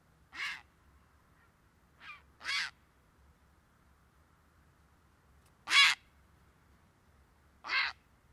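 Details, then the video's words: Grey heron calling with loud, rasping, crow-like squawks, five separate harsh bursts spaced unevenly by pauses of up to three seconds, against a quiet background with a faint low hum. "Pilkasis Garnys"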